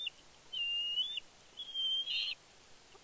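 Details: Two piercing, sustained whistled squeals from a young bald eagle that fledged that day at Big Bear, 31 May 2022, excited at its father arriving with fish. Faint background hiss.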